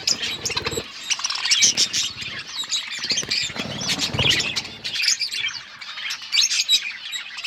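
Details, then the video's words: Several colourful pet budgerigars chirping: a dense, continuous chatter of overlapping high, scratchy chirps, squeaks and warbles that rise and fall in intensity without pause, with a few sharper bursts near the start and end. "Beautiful budgies colour budgies chirping sounds"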